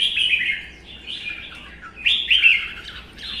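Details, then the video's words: Red-whiskered bulbul in a Vietnamese contest duel against a rival; the wild-caught bird has spent one season caged, tail fanned. Rapid liquid whistled notes come in short bursts, with a louder rising phrase near the end. "CHÀO MÀO | Hót đấu"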